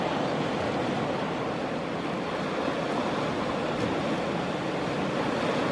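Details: Steady broadband roar of waves and wind across the whole stretch, with no calls or other distinct sounds standing out.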